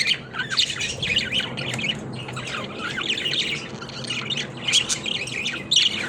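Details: Pet budgies playing in their cage, rapid scratchy warbles and sharp chirps from several birds, with louder squawks standing out near the end.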